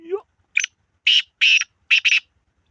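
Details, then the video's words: Black francolin calling loudly with a string of rough, scratchy notes grouped one, two, then a tight double, the final pair almost running together, opening with a brief sliding tonal note. "کالا تیتر کی مکس آوازیں"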